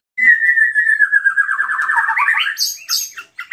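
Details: White-rumped shama lure song for other shamas: one long whistled trill held level then gently wavering and rising at the end, followed by short high chips.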